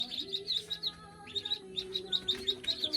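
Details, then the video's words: Ducklings on a farm in the Philippines give bright, high-pitched peeps in quick irregular bursts, several overlapping, over soft steady background music. "Cute Little Ducklings"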